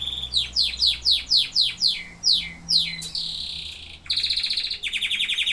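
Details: Singing canaries: a run of about ten sharp descending whistled notes, each sliding down quickly, then a steady buzzy trill and finally a fast pulsing high trill.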